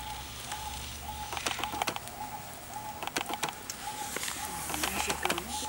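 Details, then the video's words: Male Superb Lyrebird (Menura novaehollandiae) courtship display in an enclosure at Healesville Sanctuary, near Melbourne, Australia: sharp clicks and crackling snaps in quick bursts over a repeated mid-pitched whistled tone, low hum. "Courtship Behaviour of Superb Lyrebird"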